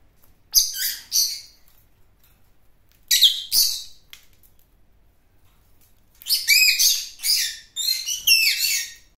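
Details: Gislis birds giving their flock call. Clusters of shrill, twittering chirps come in uneven bursts, with short silences between groups.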